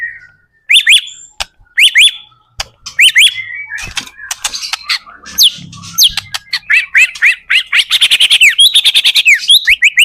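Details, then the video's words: White-rumped shama song used to prompt other shamas into singing back and forth: loud whistled phrases with rising sweeps, sharp clicks and rapid repeated chattering notes building toward a fast trill near the end. "PANCINGAN murai batu gacor AMPUH BUAT MENDONGKRAK MURAI BATU MENJADI CEPAT BUNYI"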